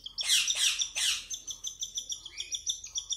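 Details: Young cockatiels begging while hand fed. A few loud, rough bursts open, followed by a quick, even train of high pulsed chirps.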